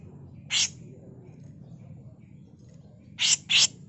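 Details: Harsh tutor call of a female grey-cheeked bulbul: one short rasping burst, a pause of about two and a half seconds, then a rapid pair of gritty bursts, over a low background rumble.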